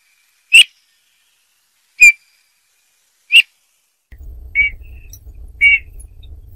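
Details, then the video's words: Eurasian bullfinches giving short, pure piping notes, three clear ones about 1.4 seconds apart, then two softer, slightly buzzier notes over a low steady hum. "chant de bouvreuils - song Pyrrhula - طائر الدغناش"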